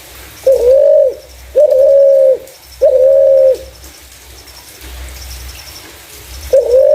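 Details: Spotted dove giving clear coos used as a lure for other doves: low, steady notes of under a second each, three in quick succession, a pause, then another starting.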